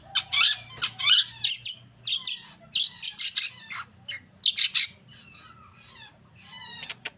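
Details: Long-tailed shrike (cendet) singing a jumbled sequence of harsh buzzes, scratchy chatters and thin whistled slurs in rapid clusters, pausing briefly and then resuming with softer notes and a final sharp burst; low hum beneath.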